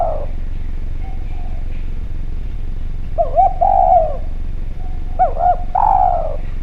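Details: Lure recording of an actively calling Javan spotted dove: a falling coo, then two phrases of quick hooked coos each closing on a long sliding note, separated by a quiet gap with steady low background noise.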